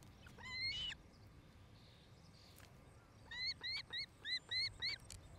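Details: Ospreys nesting in Charlo, Montana, heard through a nest camera on 8 July 2018 near evening: a couple of early whistled notes, then a rhythmic run of bright, rising cheeps repeated about four times a second.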